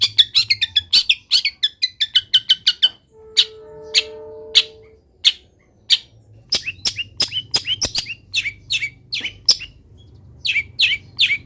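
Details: Long-tailed shrike in energetic voice, its song packed with imitated wild-bird phrases, used as a training recording: rapid runs of high chirps and sharp ticks, broken by a short series of steady low whistled tones, then scattered bright notes.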